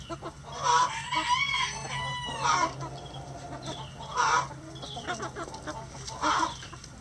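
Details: Chickens in a coop at feeding time give drawn-out, harsh squawking calls roughly every two seconds, with quieter clucking between them and a steady low hum behind.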